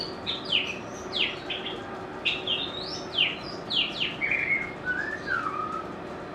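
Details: White-rumped shama, a bird kept by enthusiasts for its sweet, varied voice and mimicry, giving sharp high downslurred notes in quick pairs, then a lower whistled phrase that glides downward, over faint steady background hiss.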